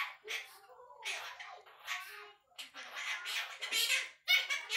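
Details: A one-year-old male Quaker parrot (monk parakeet), a keen chatterer, babbles in thin, high, speech-like phrases, short bursts of word-like syllables with brief pauses, in a quiet indoor room.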